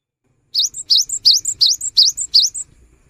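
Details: Cinereous tit delivering gacor song as a prompt for birds that stay silent. Six clean, regularly repeated phrases, each a rising sweep ending on a sharper high note, against a quiet background.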